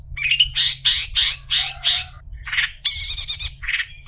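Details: Tutor song of a long-tailed shrike for teaching other shrikes: a rapid series of harsh chattering bursts, about three per second, then a rattling buzzy trill and a short whistled note, over a low steady hum.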